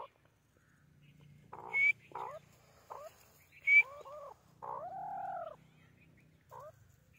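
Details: White teetar (white francolin) delivering several harsh, arched, harmonic notes of varied length, one drawn out, mixed with two sharp high chirps and a faint low hum.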